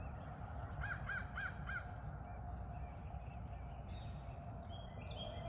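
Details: Crow, one of a trio of regular morning visitors asking for breakfast; four short, arched, evenly spaced caws in about a second, then quieter high chirps from other birds over a constant low background hum.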